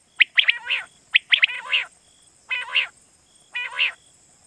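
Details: Quail call from Pakistan, used to lure quail for night hunting: nasal, harmonic grunting notes mixed with sharp clipped chirps in uneven bursts about once a second, over a steady high electronic whine.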